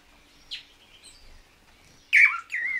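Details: Swallow-tailed manakin calls from a courtship display recording: a brief sharp downslurred note, a thin whistle, then loud quavering, wavering whistled notes bending up and down near the end.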